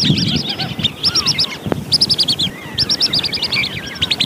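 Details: A Wandering whistling duck, used as a hunting lure sound, gives bursts of shrill high whistles, five or six quick notes per burst, repeated about once a second over a low rumble.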